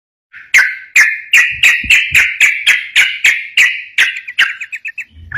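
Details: Yellow-vented bulbul singing a lively ropel-style training song meant to make other bulbuls answer: a fast run of bright, bubbly chirped notes, about three or four per second, with faint knocks underneath.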